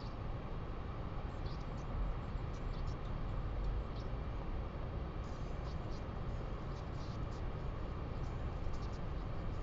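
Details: Steady low rumbling noise with a few faint high clicks, no animal voice heard.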